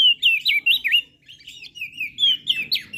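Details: Lombok crested white-eye singing sweetly, a training recording for birds that seldom sing: a quick string of high, clear whistled notes, each a looping slur, delivered almost without pause over three seconds.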